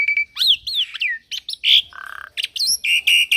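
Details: Young Javan pied starling pours out varied song with fill-in phrases: a level whistle, looping slurred notes, a loud rasping squawk, a low buzzy rattle, then a run of clipped bright repeated notes.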